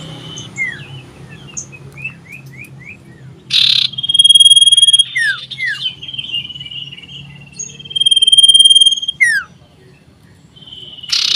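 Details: Common iora singing loudly while seeking a rival, 27 December 2022: short downslurred notes, then long high steady trills with loud buzzing bursts, ending in a harsh burst.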